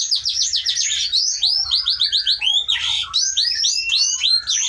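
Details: Aceh white-rumped shama in a breeding aviary, wild-caught in 2012 in the Pining forest of the Leuser mountains, repeating rapid clear upslurred whistles in quick series, several per second, interrupted by a short rasping burst.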